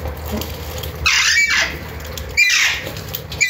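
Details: Alexandrine parakeet (Psittacula eupatria): two drawn-out harsh, raspy squawks a second and a half apart, then the start of another, with a low background hum throughout.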